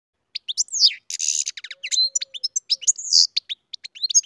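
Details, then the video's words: Captive-bred European goldfinch singing loudly: quick, varied twittering with sharp rising and falling chirps and short buzzy bursts, given in rapid irregular phrases against a silent background. "Καρδερίνα εκτροφής φωνάρα (Goldfinch carduelis singing)"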